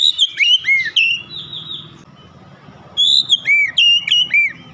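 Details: Singing Oriental magpie-robin, or kacer, opening its beak wide: loud whistled phrases with looping down-slurred notes, a brief lull, then another vigorous burst of varied whistles over faint low hum.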